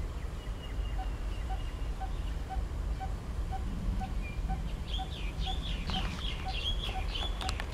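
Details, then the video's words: At Punggol Seventeenth Avenue in Singapore, a coppersmith barbet repeats a steady low tonk about every half second, while other birds chirp in quick bursts in the second half over heavy low background rumble. "Calling of the Coppersmith Barbet"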